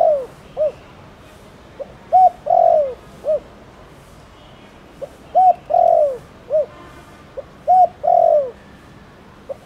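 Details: Spotted dove in Thổ Đồng cooing style, a village and rice-field bird, calling to stir other doves to call. Low mellow coos come in three phrases, each of short notes leading into a longer slurred coo, over a faint steady background hiss.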